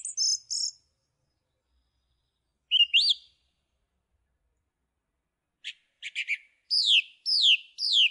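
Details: Song thrush singing in separate phrases: a high trill, a rising whistle and a rapid clicking series. It ends with a falling sweep repeated three times.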